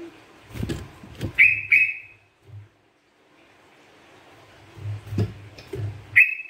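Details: Singing sooty-headed bulbul, a lively bird used for luring and training others, giving short bright whistled notes in loose groups of two, separated by pauses, with low knocking and rumbling sounds underneath.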